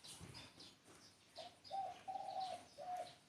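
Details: Low, mellow coos from a spotted dove, a brief note followed by two longer ones and a short closing coo, after a second of high background chirping.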